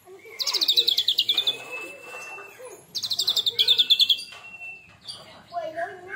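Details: Tembakan song of an Oriental magpie-robin after its first molt: two rapid rattling trill bursts, each trailing into a long steady whistle, then softer lower warbling notes.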